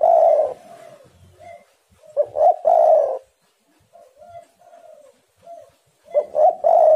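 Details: Spotted doves cooing to each other, used as a lure to get other doves calling: loud, low, rounded coos in phrases separated by softer, quieter coos, with several birds answering back and forth.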